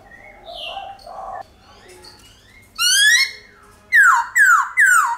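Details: Black-throated (silver-cheeked) laughingthrush giving a long-drawn forest-style song, played each morning to stir pet birds into singing; low mellow whistles and short notes, then four loud rising-and-falling slurred whistles in quick succession.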